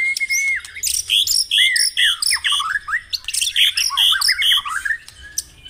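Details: Loud white-rumped shama song played to get caged birds singing: a steady whistle, then vigorous phrases of bright chopped notes and downward slurs, repeated in quick bursts.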